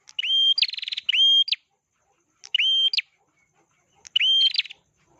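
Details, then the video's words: Prinia in full song: loud whistled phrases, some with a harsh buzzing rattle, each ending in a rising flick, four bursts spaced by brief pauses in quiet surroundings. "pernjak atas. gacor"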